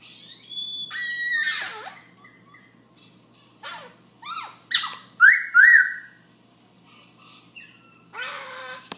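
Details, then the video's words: Black-throated laughingthrush in a nonstop late-night song at 11 pm, mixing a long steady whistle, squawky harsh notes, short clicks and up-and-down slurred whistles, with quiet gaps and a low background hum. "Black throat laughing thrush night song almost 10 min strai"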